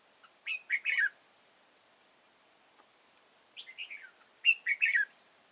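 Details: Decoy red-whiskered bulbul singing to draw in wild bulbuls, recorded 8 October 2018. It gives two bursts of lively, liquid warbling notes, each ending in a quick falling trio, with a persistent high insect whine.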